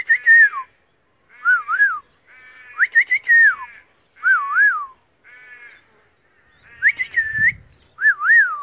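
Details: Wild Australian pied butcherbird repeating short whistled phrases about every second, each a bright slurred note or a double up-and-down warble, separated by brief silences, with a faint low thump near the end.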